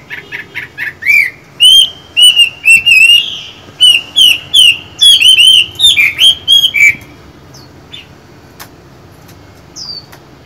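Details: Chinese hwamei, a caged songbird, singing a loud run of clear whistled notes, rising and falling between high slurs, repeated rapidly for about seven seconds, then a few faint scattered notes.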